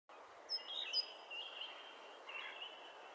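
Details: A great tit gives its familiar call at the start of spring: a few thin, high whistled notes in quick succession over a steady hiss of outdoor background noise.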